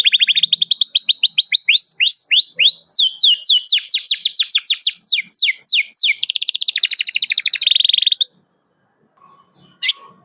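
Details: Canary in song, recorded as a lure to provoke a rival and to teach young canaries to sing: about eight seconds of high, rapid phrases, first steady notes, then fast downward-sweeping chirps, then a dense buzzy trill, followed by near silence with a faint click.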